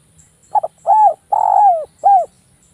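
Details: A Java derkuku, or zebra dove, used as a lure bird, utters a close-knit, sharp phrase: two clipped opening notes, a mellow arched coo, an extended slightly throbbing coo falling in pitch, and a final brief arched coo.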